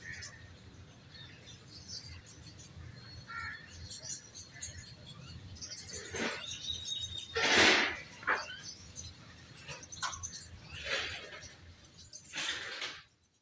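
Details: Common myna (Acridotheres tristis), also called maina, shariq or lali, a shy, wild bird of the subcontinent, giving a few loud, harsh, rasping calls in separate bursts over faint chattering notes, with a low steady background hum.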